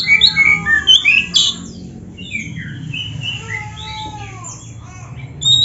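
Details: Oriental magpie-robin (kacer), a caged bird in full song, played to stir quiet kacer into singing and excitement; varied whistled phrases and slurred notes, loud at the start and end with quieter warbling between, steady low hum underneath.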